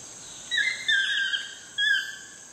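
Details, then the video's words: Toucan at sunset in Costa Rica giving three clear yelping whistles, each slurring downward, the last after a short pause, with a constant high-pitched insect hum behind. "TOUCAN SUNSET CEREMONY"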